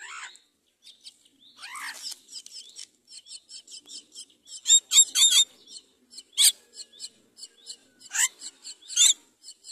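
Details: Common myna chick fed rice by its mother: quick series of sharp high clicking chirps, about four a second, broken by louder harsh squawks and downward whistles.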